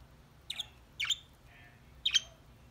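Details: Pet budgerigars, several together, playing and enjoying a corn treat: three short, sharp chirps, each a quick bright burst, spaced about half a second to a second apart over a quiet background.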